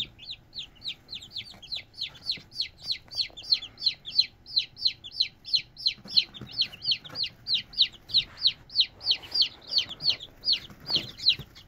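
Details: Red junglefowl chicks giving a steady stream of high, downward-slurred peeps, about three per second, with little background noise.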